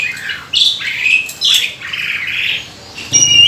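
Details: Jalak suren (Asian pied starling) lure song: loud squawking, rasping phrases with sharp whistled accents, separated by brief gaps.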